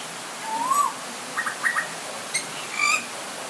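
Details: Butcherbird calling during light rain: a clear whistled note sliding upward, then a few short paired chirps and a brighter high whistle near the end, over a steady background hiss.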